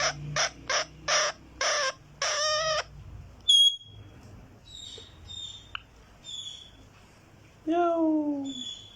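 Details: Green talking parrot producing rapid short bursts, then a thin high whistle and scattered faint chirps, ending with a loud falling drawn-out call.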